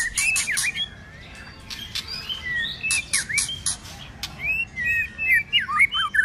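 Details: Cold-season fighting song of a White-rumped shama: opening rasps and hooked whistles, a pause of quiet, then more harsh bursts followed by a lively chain of twisting, looping whistled notes.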